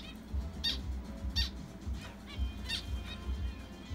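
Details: Zebra finches, two pet pairs that have laid eggs in their condo. Three short nasal honking calls, spaced about a second apart, over a steady low rumbling hum.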